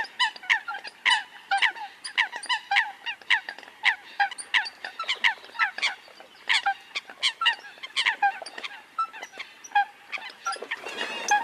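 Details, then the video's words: Eurasian coot flock calling continuously: clipped, nasal honking notes from many birds crowd together, with a brief burst of rustling noise near the end. "tiếng sâm cầm"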